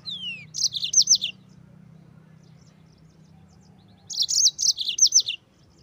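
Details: Yellow-fronted canary used as tutor song for white-eye birds, in 'gacor ngerol' style: a falling whistle followed by a brisk burst of high chirps, then about three seconds of quiet before a matching bright phrase.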